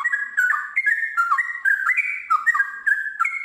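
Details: Sooty-headed bulbul singing a long, lively run of rich whistled phrases between mid and high pitch, notes sliding up and down in quick succession with barely a pause, in a sustained chattering flow.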